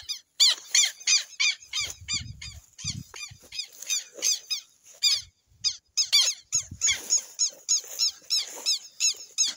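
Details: Amazonian southern lapwing calling loudly and insistently: sharp, scratchy, downward-hooked notes in rapid runs of about three per second, with brief pauses between bursts and a short low thump.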